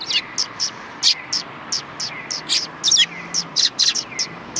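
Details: Sparrows at a Tenmangu shrine, recorded 3 January 2020: a flock giving short, bright chirps in quick irregular bursts, several birds overlapping, with a faint low hum in the background.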